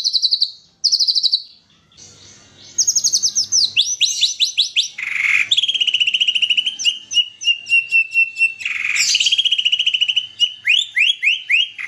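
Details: White-rumped shama singing in the morning, its song laced with imitations of kapas tembak, cililin and canary. It opens with rapid high buzzy bursts, then brisk ticking phrases, a long sustained whistle and fast descending sweeps.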